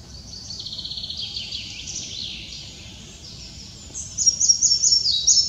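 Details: Red-breasted flycatcher singing in Upper Silesia, June 2023: high, thin notes in quick repeated series slipping downward, ending in louder bright phrases over faint background hiss.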